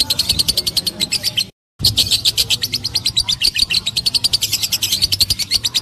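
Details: Lovebird ngekek chatter, rapid bright chips in a long run, broken by a brief gap of silence, then continuing at the same quick pace over low background noise.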